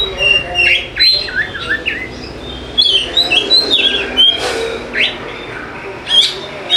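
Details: Oriental magpie-robin used to make lazy birds sing: varied whistled phrases, slurred chirps and some harsh notes in quick bursts, repeated around every half second.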